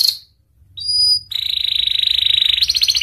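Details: Panda canary song fragment: a short pure whistle, then a rapid high rattling trill that grows louder and coarser toward the end.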